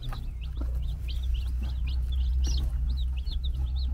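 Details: Baby chickens, four days old, chirp while running about on a Czech farm with their brood hen nearby: sharp, high, rising-falling peeps follow one another rapidly, several birds at once, above a strong deep rumble like wind or handling noise.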